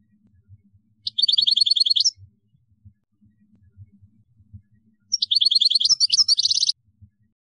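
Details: Caged European goldfinch singing a kadouss-style song in Algeria: two bursts of rapid, high trilled notes about a second and a half long, separated by a short pause, with faint low thumps in the background.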